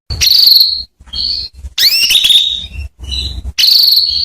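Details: Female canary calling the male so he sings. Dense, nearly continuous high calls: buzzy trilled notes alternate with shorter notes and a cluster of overlapping upward-curving sweeps, with only brief gaps between them.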